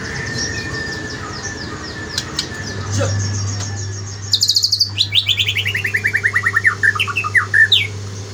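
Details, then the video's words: White-rumped shama in morning song: faint twittering at first, then a rapid, regular series of bright whistled notes that gradually drop in pitch, ending with a few rising whistles; a low hum runs beneath. "Kicauan murai batu di pagi hari"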